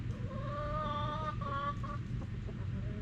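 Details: Chicken calling while being given grass clippings: a drawn-out, tonal, slightly nasal note rising a little and held about a second, then a short broken note, over a steady low rumble.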